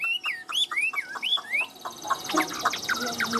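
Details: Chinese hwamei, a caged bird, in tam hoàng style song: a series of clear, looping whistles rising and falling, then a burst of quick, varied chirps and trills.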